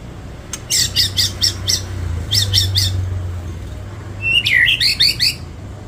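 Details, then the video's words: White-rumped shama, its song said to be filled with cililin and kapas tembak material. Two clusters of rasping, broadband notes come first, then a quick twisting series of sharper chirps, over a steady low hum. "MURAI MATERI MEWAH ISIAN CILILIN NYAMBUNG JENGGOT NYAMBUNG KAPAS TEMBAK"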